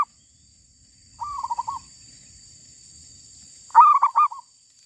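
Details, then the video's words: Zebra dove from a wild-bird trapping outing that ended with a female caught. A soft trilled coo of quick pulses comes first. Later a louder phrase starts with sharp clipped notes and trails into the same rolling trill. "Ngincar suara besar dapatnya yang Betinanya"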